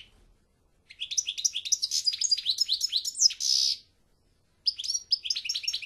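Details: European goldfinch delivering a dense, rapid twittering phrase mixed with a harsh buzzy nasal note, falling silent for a second, then starting another tinkling run.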